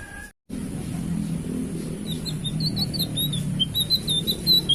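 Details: After a short break and a steady low hum, a blue flycatcher starts its loud song: quick whistled notes that rise and fall, growing stronger toward the end.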